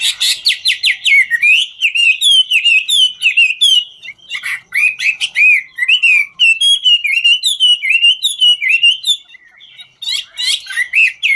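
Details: Chinese hwamei, 'ngũ trường' singer, dancing as it sings: long vigorous run of loud slurred whistles and rapid chattering notes, phrases varying and repeating with brief breaks, very loud throughout.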